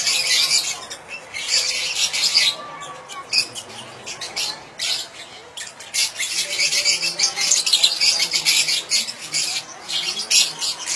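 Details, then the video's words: Flock of lovebirds (Fischer's and rosy-faced) chattering, played to stimulate mating: shrill, squeaky chirps and harsh squawks overlap in dense, high-pitched bursts that swell and fade every second or two. "تحفيز عصافير الفيشر والروز للتزوج بسرعة"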